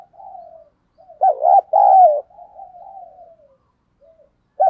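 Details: Spotted dove kept as a decoy bird, cooing to excite others: soft murmur, then a loud wavering coo and a longer falling coo, followed by quiet trailing notes and another loud onset at the end.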